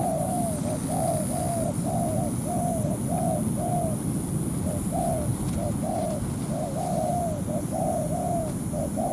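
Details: Spotted dove used as a ground decoy, provoking a wild rival that comes down to fight; a long run of quick, evenly spaced soft coos with a brief pause midway, steady hum and high whine underneath.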